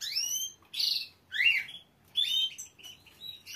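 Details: Green canary singing in separate phrases: sweeping whistled slurs, a buzzy trill, then rising and falling clear notes with short gaps between bursts, over a faint low hum.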